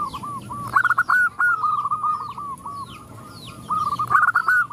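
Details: A female zebra dove calls males and the rest join in: strings of rapid, staccato coos in two loud bursts with a quieter stretch between, and thin descending chirps from other birds above.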